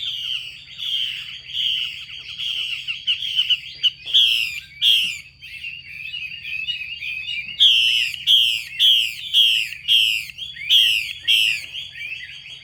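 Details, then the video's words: Female Chinese hwamei calling to stir males into singing: a series of clear slurred notes, then harsh broad downward rasps repeated about every second, louder toward the end. "Tiếng chim mi mái xùy kích trống"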